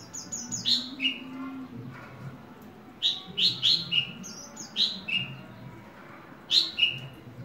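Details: Horsfield's bush lark, a hobby bird, repeating groups of sharp, high chirps that drop in pitch, two or three notes at a time, with short gaps and thin ticking notes between groups.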